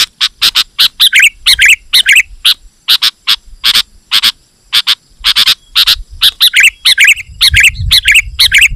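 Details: Persistent chattering from a sooty-headed bulbul used as a lure for wild birds: short sharp chirps repeated about twice a second, broken by bubbly warbled phrases near the middle and end.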